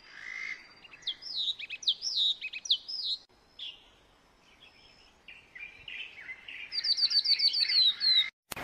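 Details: Yellow tit from Bogor giving high whistled, downslurred notes, a quieter mid-section of softer warbling, then a fast run of sharp repeated chirps.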